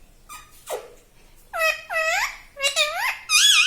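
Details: Pet parrot imitating human talk indoors, reportedly saying "Mummy" and "Papa"; faint squeaks at first, then four loud, bright, swooping syllables, each dipping and rising in pitch, the last one highest.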